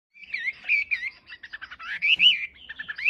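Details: Wambi in full, vigorous song: a rapid run of bright, warbled whistles and chirps that swoop up and down, delivered almost without pause, with no other clear sounds.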